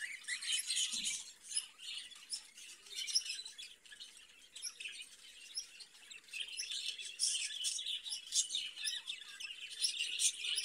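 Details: Long stretch of caged budgerigar chatter: dense, harsh twitters and squeaky chirps, fluctuating in loudness, with a quieter dip midway.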